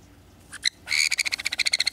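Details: Sun conure kept as a pet, mostly bald through a genetic mutation, sharing space with another sun conure of the same age. Two short sharp notes, a brief pause, then a loud grating note running into a quick rattling string of pulses.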